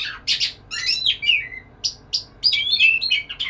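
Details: Courting white-rumped shama (kacer) sings to a female: a few harsh chirps, then a falling whistled slur, then a quick jumble of high notes.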